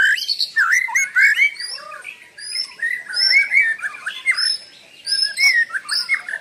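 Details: White-rumped shama in unbroken song, 'gacor' style meant as master song: rich, varied warbling and slurred whistles in short bursts separated by brief pauses, with some high thin notes above.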